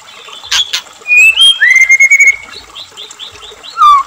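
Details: White-rumped shama song serving as a lure for captive shamas: clear drawn-out whistles, a rising slur, then a series of soft repeated notes and a falling whistle, with running water.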